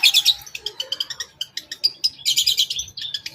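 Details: Long-tailed shrike in a toet toet lure song with fill phrases for provoking rival shrikes: a busy jumble of sharp, high chips and short twitters, with a brief clear whistle in the middle.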